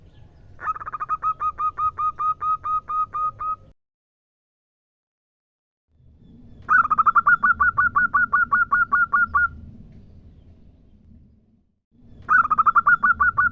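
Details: Calling female zebra dove, a local Indonesian bird, summoning a male. Three bursts of rapid, staccato, cooing notes, each burst lasting about three seconds and separated by silence or low background murmur.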